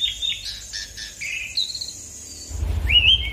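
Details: Asian pied starling in full rolling song, used as a lure to get other birds singing: a short burst of squeaky chirps and a thin held whistle, a brief lull, then a rising slurred whistle over a sudden low rumble.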